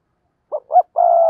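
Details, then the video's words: Spotted dove used as a decoy bird to lure wild doves, giving two short hollow coos and then a longer sustained coo, low and mellow, with no other sounds. "cu gáy kích bổi nhanh nổi/ cu gáy mồi cây thúc gù bài bản"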